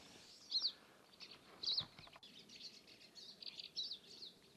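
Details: Pine Siskin giving its quick high two-note 'pee-you' flight call, the second note lower, repeated about once a second amid softer chattering. This call is mostly heard as the birds fly over, and they chatter constantly while sitting or feeding.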